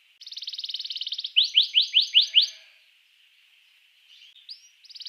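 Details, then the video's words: Song of a canary meant to set other canaries singing: a fast buzzy rattle, then five loud downward-slurred whistles, a quiet gap, and the rattle beginning again. "suara kenari ini 99% jitu sekali membuat kenari lawan gacor"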